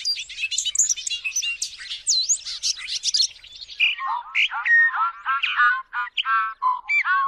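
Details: Loud, varied bird song: quick high whistles and slurred chirps give way to lower, harmonic warbled notes in a lively, jumbled series.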